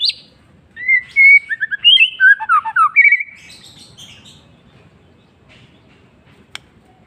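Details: White-rumped shama song in the afternoon: a rapid run of rich, varied whistled notes, warbling and tumbling over about two and a half seconds, followed by near silence and one sharp click.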